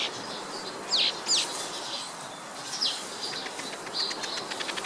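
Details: Ploceus cucullatus, the village weaver: sharp, squeaky, downslurred notes, two close together near the start and another a couple of seconds later, over a background of soft buzzy chatter and quick ticking.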